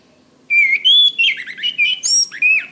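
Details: Orange-headed thrush master song for cage-bird training: a fast, loud warbling string of pure whistles, slurred glides and high chirps, steady in volume throughout.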